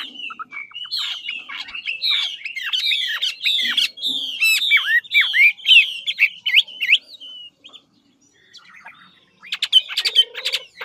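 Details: Lạng Sơn Chinese hwamei, ngũ trường type, in rich competitive song: fast repeated slurred whistles and sharp rising-falling notes for about seven seconds, a short quiet gap, then a burst of chattering, scratchy notes.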